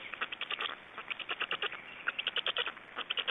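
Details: Feeding at a black stork nest in Estonia, 26 May 2012: chicks give evenly spaced, clipped, raspy pulses, about four to five per second, in a steady run.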